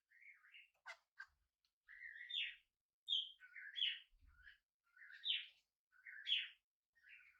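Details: Indoors on its first day at home, a tame hand-fed budgie repeats bright, upward-sweeping warbled calls roughly once a second, with a few sharp clicks early on.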